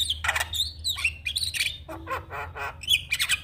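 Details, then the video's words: Black-winged starling song for training cage birds: loud harsh squawks with whistled overtones, then a run of nasal rasping notes repeated about every quarter second, and more squawking at the close. "Kicauan Jalak Kebo Juara"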